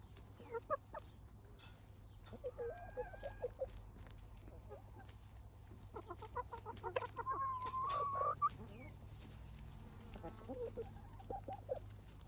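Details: Hens pecking at bread from a wicker bowl on grass give soft, scattered clucks and a longer rising-falling cackle midway, with faint crunching and a low steady hum beneath.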